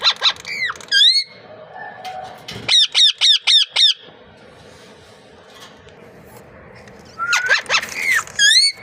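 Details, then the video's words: A parrot, said to be speaking, lets out a quick burst of about five harsh, looping squawks, then falls quiet before a few more rising squawks at the end. "Amazing Parrot speaking natural sound"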